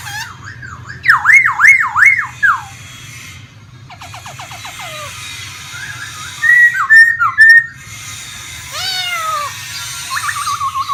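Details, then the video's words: Singing caged laughingthrush, a pet bird in Vietnam, dancing with its feathers fanned. A looping wavy whistle, then a fast ticking run of short notes, brief chattering phrases and a few lower slurred whistles. "khướu hót múa xòe như máy bay"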